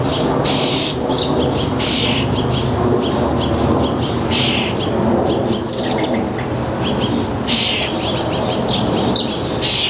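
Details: Backyard feeder birds in a northern New Jersey suburb, July afternoon around 4 p.m., a season full of fledglings: a busy mix of rough squawks and short chirps, scattered irregularly over ten seconds, with constant low rumble behind.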